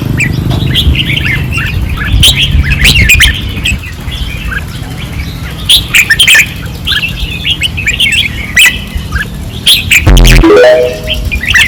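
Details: Fierce singing of caged red-whiskered bulbuls on a training perch, Pattani, 2024: lively overlapping whistled phrases throughout, a short sliding rising sound near the end, and a low droning rumble beneath.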